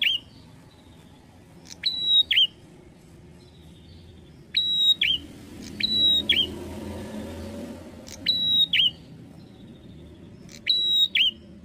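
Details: Bar-winged prinia in lively song, repeating a phrase of a short click, a steady high whistle and a brief downslurred note, roughly every two to three seconds, with a soft rushing noise midway and low hum beneath.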